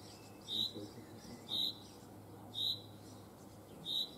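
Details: Netherlands chaffinch repeating a short, bright, high note roughly every second, four times, against steady low background hum.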